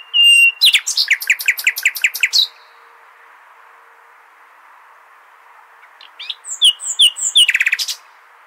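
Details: Al-Hasaniya style nightingale song for tutoring goldfinch and hybrid chicks. A loud opening note leads into a rapid string of sharp, dropping chips. After a long pause comes a shorter phrase of mixed clicks and a quick trill.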